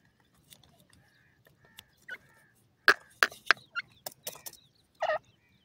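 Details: Francolin (partridge) chicks feeding give short, high peeps and soft clucks among dry tapping and clicking sounds, with one louder, harsher note near the end.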